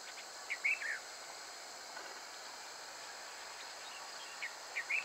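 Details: Red avadavat (red munia) at Rajarhat, Kolkata, giving a few thin, high chirps in two brief bursts, one early and one near the end, over a steady insect-like hiss.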